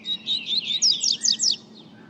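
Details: Double-collared seedeater singing a quick high phrase of sweeping, slurred whistled notes, about eight notes in under two seconds, ending in a thin fading note over a faint low hum.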